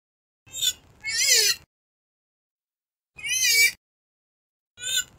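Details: Purple swamphen (kalim) call used to lure birds for hunting: a short nasal note, then a longer, wavering, wailing call, with two more similar calls at irregular intervals and silence between them.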